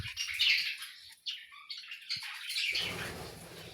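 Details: A colourful colony of budgerigars chatters together in high, scratchy warbles and chirps, many birds overlapping at once.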